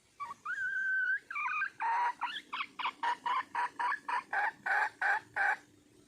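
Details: Wild red junglefowl hen calling to attract a male: a long whistled note and a few twisting notes, then a fast run of about fifteen loud, harsh clucks, roughly three per second.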